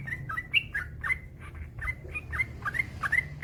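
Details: Yellow-vented bulbul in a master recording to stir other bulbuls to sing: dense bubbly chatter of short liquid notes ending in clear whistled tails, almost continuous, with low background hum.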